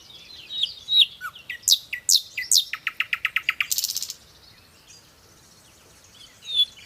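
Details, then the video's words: Nightingale delivering high whistles and sharp downslurred notes, then a run of about a dozen rapid repeated notes leading into a buzzy burst, a quiet pause and one final high note. "Song of Nightingale _ the best song of Nightingale۔ بلبل کی چہکتی ہوئی پیاری آواز!صدا बुलबुल के गीत"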